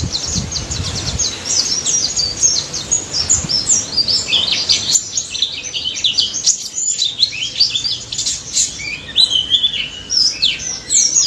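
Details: Daput white-eye singing nonstop in the ngalas manner to prompt mute white-eyes: dense high chattering chirps with quick rising and dropping whistles. Low rumbling knocks are heard during the first second.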